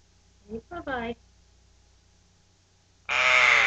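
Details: A woman speaks softly, then a pet male Eclectus parrot, about three and a half months old and just fed an egg, gives one loud, harsh, rasping screech lasting about half a second, on 15 January 2009.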